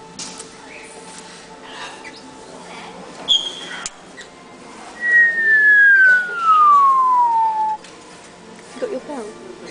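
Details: Whistled note from an African grey parrot, a smooth falling glide lasting over two seconds, preceded by a brief high squeak, over a background of quiet human chatter.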